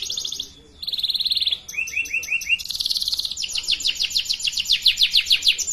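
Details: Canary singing as a tutor for young birds still learning: a buzzy high rattle, a short pause, then a rapid trill, a run of five falling whistles, and long fast-repeated rising chips at a steady quick tempo.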